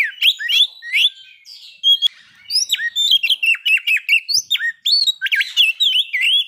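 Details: Oriental magpie-robin song, a lure to spur breeding condition and aggression. Continuous stream of varied clear whistles, rising and falling slurs and crisp clicks, with barely any gaps.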